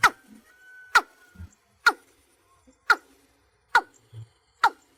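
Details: Watercock call meant to summon the flock: a string of short, hard knocking notes repeated roughly once a second at a slightly uneven pace, with a faint steady tone in the background.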